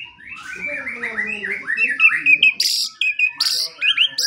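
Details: White-rumped shama in full song, used as a morning and evening training recording for songbirds: a varied run of whistled and warbled phrases around the middle pitch range, then loud harsh buzzy bursts with higher chattering notes.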